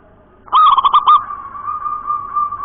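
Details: Zebra dove of local wild stock (perkutut) delivers one crisp phrase of about five rapid, throaty coos in the nropel cowong gowong bening style, followed by a sustained steady background tone.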